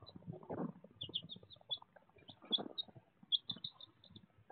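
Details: Raw footage of baby chicks: runs of quick, thin, high peeps in rapid series, about one burst per second, over faint low scuffling.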